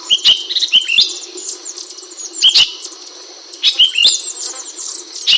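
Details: Ashy bulbul chirping, sharp high notes delivered in quick clusters of two or three, with pauses of about a second between bursts, over steady background hiss and crisp clicking sounds.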